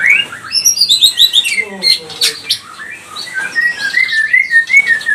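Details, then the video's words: Pastol-type white-rumped shama song used to make other birds sing with aggression; quick high twittering run, a scratchy harsh passage, then a string of clear rising whistles repeated at a brisk pace. "Murai batu pastol cepat bunyi gacor emosi"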